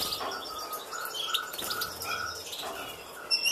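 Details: European goldfinch in a breeding cage, twittering with quick, bright, tinkling chirps in an unbroken chatter, over a steady thin high hiss.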